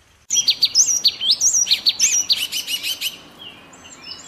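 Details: Yellow tit from Bogor singing a rapid, jumbled run of high whistled and chirping notes, bright and sweet, about two per second-plus, fading out toward the end.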